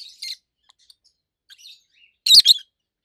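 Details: Adult roseicollis lovebird pair indoors: a few soft scattered chirps, then one loud, harsh double chirp near the end.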